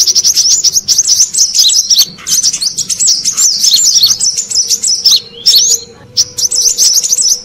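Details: Brown-throated sunbird call used for luring wild birds: fast, shrill twittering phrases of wavering chirps, broken by short silences, with a faint low background hum.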